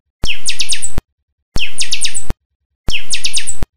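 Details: Pinga-style song of a chanchão: three identical brief bursts of rapid high whistled notes, each under a second, separated by abrupt silences of about half a second.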